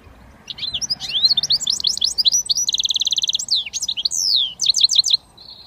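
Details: A hybrid goldfinch mule sings the switty phrase: bright twittering slurs rush into a sustained metallic buzzing trill, then sharp upswept chirps and a short closing whistle.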